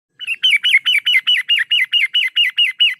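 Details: Yellow-vented bulbul recorded as a lure and master track for training birds: a brisk run of about thirteen loud, downslurred chirps, evenly spaced roughly five per second, in a quiet setting.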